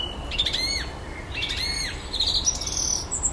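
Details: Common blackbird with a repertoire of electronic noises, singing at dusk in a garden on its territory: looping, swooping electronic-sounding notes in two bursts, followed by high thin beeps.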